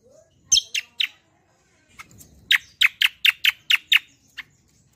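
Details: Energetic rolling song of the kecial kombo (cucak kombo), used as a lure and song model: three quick chirps, a pause, then a steady run of seven bright notes about four per second.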